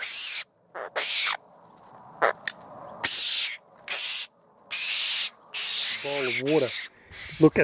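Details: Apostlebirds, a communal group sharing a water bowl at a campsite near Bourke, NSW, Australia, on a hot afternoon. Rough, scratchy calls come in separate bursts about a second apart, and a brief stretch of human voice can be heard.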